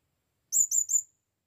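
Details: A blue-crowned hanging parrot calls a female during its first visit to the forest: three quick, piercing high notes, slightly falling, in under a second, with a faint low thump.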